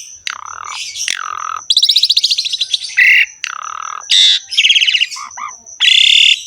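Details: Harsh 'ngerek' sounds from a Javan pied starling, used to prompt kept starlings to sing: loud grating, buzzy bursts about a second long alternating with rasping downslurred squawks, over a faint steady high tone.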